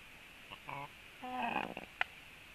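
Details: Black stork chicks talking to each other in the nest while preening: a few wheezy, nasal harmonic calls, short then drawn out and wavering, over a steady background hiss, ending with a sharp click.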